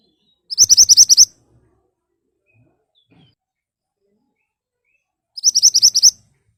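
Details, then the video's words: Ashy tailorbird delivering its sharp lure song to provoke replies from other birds: two bursts of about eight rapid, ringing high notes, some five seconds apart, with near silence in between. "Burung Mantenan Gacor Nembak Tajam Cocok buat Pancingan agar cepat Nyaut"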